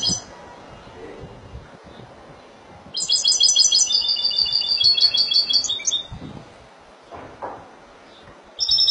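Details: European goldfinch, described as Spanish and tied to Málaga, bursts into a three-second phrase of rapid, high, silvery twitters and trills after a quiet stretch. A brief snatch of song follows at the end, with soft low noises between.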